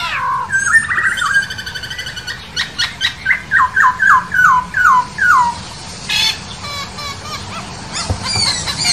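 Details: Masked laughingthrush singing in the wild: an opening whistle and buzz, then a rhythmic run of about eleven loud slurred notes, roughly two per second, ending in scratchy chatter.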